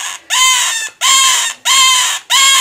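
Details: Male scarlet-chested parakeet kept as a pet, crying on a regular basis while his mate stays close; four loud, harsh, grating cries in quick succession, each about half a second long, separated by brief gaps.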